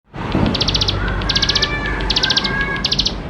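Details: Bar-winged prinia in full chattering song rich with fill-in phrases, used as a lure to get young birds singing: short bursts of rapid high dry ticking notes, five to seven per burst, roughly every 0.8 seconds, over a steady low background hum.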